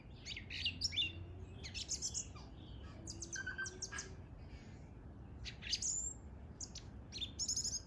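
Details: Outdoor bird song of high, sharp chirps and brief twittering runs, with a few sliding whistled notes, in spaced clusters over constant low-pitched background noise.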